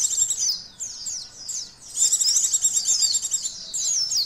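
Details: Oriental white-eye (Zosterops palpebrosus), song.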